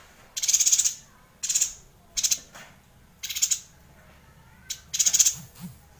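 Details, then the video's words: Yuhina singing in long, rolling bursts, used as tutor song for a White-rumped Shama; five very high, buzzy twittering bursts in six seconds, each about half a second, separated by short silences. "Suara Yuhina Gacor Ngerol panjang"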